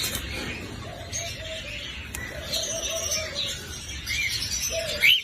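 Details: Cockatiel calling with short bright chirps and warbled notes, interspersed with a few lower, steady tonal phrases and a sharp rising squeak near the end.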